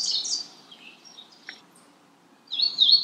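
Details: Short high Magnolia warbler notes: a quick two-part warble at the start, scattered faint chips in the middle, and another bright sliding phrase after two and a half seconds.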